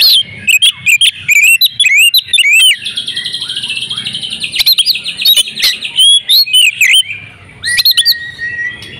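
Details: Oriental magpie-robin female in breeding condition, whose calls are meant to stir males to sing. Bright upswept whistles and chips open, then a long buzzy rattling stretch, then more clear rising whistles and sharp clicks.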